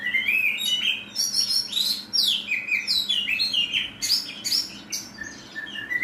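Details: Oriental magpie-robin singing in the harsh 'tembakan kasar' style: a rapid, varied run of loud whistled slurs, buzzy bursts and sharp chirps, packed into short phrases with brief gaps, some notes sliding steeply down.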